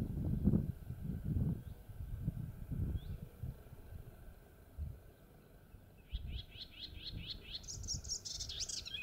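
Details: Melodious warbler singing on 30 May 2022 at 11:28 in the Mayenne countryside, filmed handheld at full zoom. Six seconds of low rumbling handling and wind noise, then a quick chattering run of high notes climbing higher near the end.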